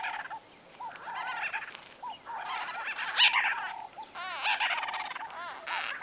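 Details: White-fronted bee-eaters conversing close by, giving quick looped notes and rolling trills that build into overlapping excited chatter from several birds, with a loud peak near the middle.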